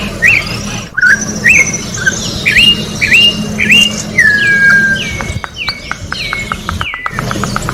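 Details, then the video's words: Orange-backed troupial singing in nature: a series of short whistled notes, each rising then dropping, followed by longer falling whistles and a rapid train of clicking pips, with a steady low hum beneath. "Corrupião Cantando na Natureza"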